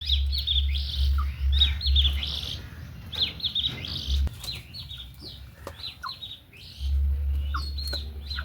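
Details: Pet budgerigars kept alongside hens chirp and warble in a busy, continuous chatter of quick high notes, with a low rumbling hum underneath at times.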